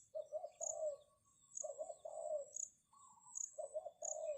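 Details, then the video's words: A decoy spotted dove calls to lure wild doves. Soft, rolling low coos are repeated in bouts about every second and a half, while thin high chirps tick at regular intervals in the background. "Chim cu gáy chiêu kích mồi tập bổi nhanh nổi hiệu quả"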